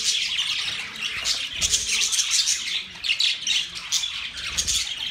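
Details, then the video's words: Budgerigars singing during mating: dense, continuous high chattering warble of many overlapping chirps and squawks, pulsing in bursts throughout, with no other clear sounds. "Budgies Parakeet Singing | Budgies mating | Budgies birds chirping sound"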